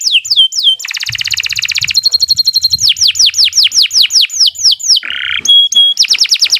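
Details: Long canary song meant as a master for young birds: a dense rolling trill, then a series of repeated downward-slurred whistles, a harsh buzz and clipped high notes, all high-pitched and loud.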